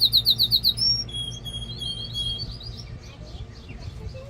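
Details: Male canary singing to stimulate a female for mating and to train young birds: a fast rapid trill of repeated high notes, then long pure whistled tones and softer twittering phrases.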